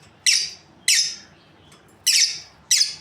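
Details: Lovebirds of a breeding pair uttering four sharp, high, rasping squawks, spaced roughly half a second to a second apart, each falling slightly at the end; indoor quiet.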